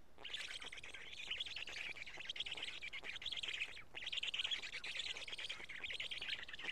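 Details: At a Karula black stork nest, 31 May 2017 shortly before 1 pm, while chicks take pieces of two large fish: dense scratchy chatter, continuous with one brief break near the middle.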